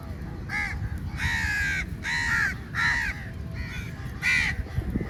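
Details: Many crows swarming food at feeding time, calling very loudly; a series of six harsh, ringing caws, some drawn out, over steady low background noise.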